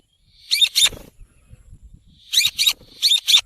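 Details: Rose-ringed parakeet giving harsh, raspy screeches in pairs, one pair early and two more pairs near the end, with faint low knocking sounds in between.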